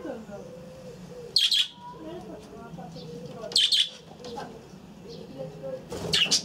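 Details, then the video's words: Budgerigars in an aviary: three short, loud chirping bursts roughly two to two and a half seconds apart, with quieter low warbling sounds between them. "Papugi faliste w wolierze"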